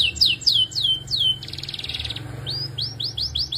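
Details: Belgian canary song: a series of falling whistled slurs, a dry buzzy rattle, then rising upslurred notes repeated about five times a second.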